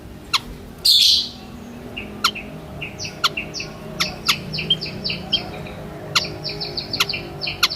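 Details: White-headed munia calling: a quick series of short, thin, high notes, each slightly falling, repeated several times a second, with sharp clicks scattered throughout and a brief rushing burst near the start.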